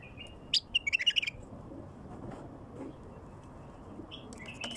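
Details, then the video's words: A wild bulbul delivers a quick series of liquid whistled notes, used to bring in wild bulbuls, followed by near silence with steady hiss and a faint phrase at the very end. "تغريد بلبل وحشي"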